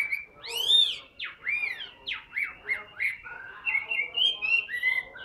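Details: Chinese hwamei, caged and tame, noted for copious singing, throws out loud, sweeping whistles that arc up and down. It then settles into a steady series of clear, evenly spaced whistled notes.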